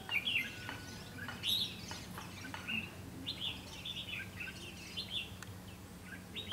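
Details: Caged red-whiskered bulbul serving as a trapping decoy for wild bulbuls, recorded 7 June 2016: a string of clear, quick whistled notes and warbled phrases spread through the clip, with a faint low hum underneath.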